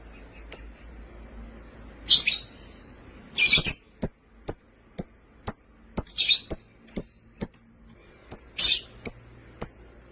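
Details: Two pet lovebirds, a sky blue opaline and a green opaline, give sharp, shrill chirps in quick bursts, roughly one to three a second, with a few louder harsh squawks mixed in over a faint steady high hiss.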